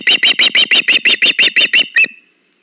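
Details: Osprey at a nest cam on 21 August 2019, as a male brings a fish to a female: eleven loud, harsh, evenly spaced chirps about six a second, heavily overloaded, then silence.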